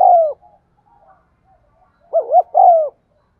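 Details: Spotted dove cooing, played to get caged birds to coo: a low, mellow coo falling slightly in pitch, then after a pause a quick wavering double note and another drawn-out falling coo.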